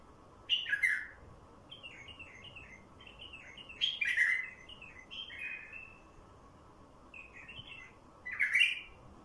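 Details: Wild bulbul singing to lure other wild bulbuls: short warbled, bubbly phrases, loud ones near the start, middle and end with softer linked notes between, over a steady low background hum.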